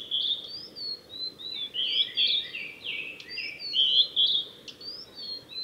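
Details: Male Blue-and-white flycatcher singing on the Mizusawa forest road in Tanzawa, Japan, 8 June 2020; dense, continuous flow of clear whistled and warbled notes with brief high clicks, steady background hiss beneath.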